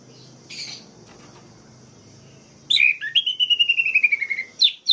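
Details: Provoking song of an orange-headed thrush, used to set other birds of its kind off: a brief hiss, quiet gap, then loud whistled notes running into a long falling series of rapid repeated notes, ending with sharp high calls.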